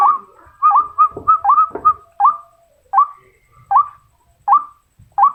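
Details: Female white-breasted waterhen calling to males: a rapid cluster of bright, upward-hooked notes, then single calls spaced about every three-quarters of a second, with a few soft knocks.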